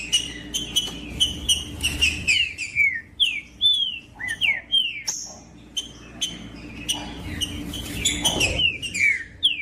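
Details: Captive green-winged saltator singing, meant to warm up a cold bird for tournaments. Whistled downslurred phrases repeat at a quick, uneven pace, mixed with sharp percussive clicks and a short low thump.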